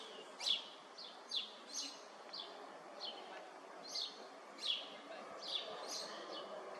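Eurasian tree sparrows give short, bright chirps in irregular bursts, roughly one or two a second, over a steady background hiss.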